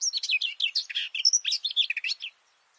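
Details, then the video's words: Male garden warbler recorded up close from below its bush: a fast, continuous stream of mellow warbling notes for over two seconds, then it stops. "This garden warbler song (Silvia borin) sounds great!"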